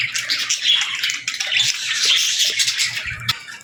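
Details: Budgerigars alongside lovebirds during feeding, chirping continuously: a steady wash of high, overlapping twitters and chirps with a brief low thud near the end.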